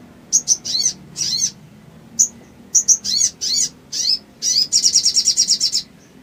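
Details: Sooty-headed bulbul in full song after an emotion-triggering recording, giving clusters of sharp high chirps and harsh buzzy notes, ending in a rapid, even trill of ticking notes.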